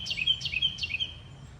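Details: Singing bird repeating a high whistled phrase three times, about every 0.4 seconds, each starting with a steep falling sweep and ending in a short steady whistle; soft low rumble underneath.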